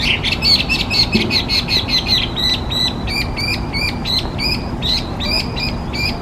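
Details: Chinese hwamei, a species designated an invasive alien species in Japan, singing loud, clear whistled phrases with rapid repeated ringing notes, about two or three each second, each note sliding up and down, over a constant rural background hiss.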